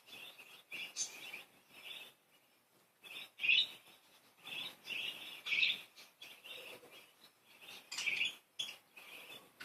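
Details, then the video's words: Several happy, playful pet budgerigars chattering in bursts of high, scratchy warbling notes, with short gaps between busy runs of chirps and clicks throughout. "Happy cute budgies, playful budgies"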